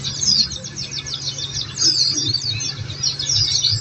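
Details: Oriental white-eye training-recording song for prompting caged birds to reply: bright, thin whistled notes and fast twittered phrases, rising and falling in loudness, over a low hum.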